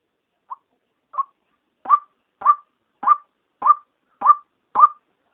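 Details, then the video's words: Female white-breasted waterhen calling by day to lure others: two faint opening notes, then six strong, evenly spaced rasping 'kruak' notes, each swelling then cut short, in silence. "SUARA PIKAT RUAK RUAK SIANG PANCINGAN KE-2 | SUARA BETINA"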